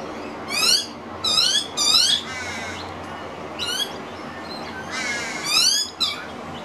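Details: One of two young pied butcherbirds taking minced beef from an adult on a home veranda, dated 251215. Four loud bursts of shrill, stacked, rising squeaks, each lasting under a second, separated by quieter gaps.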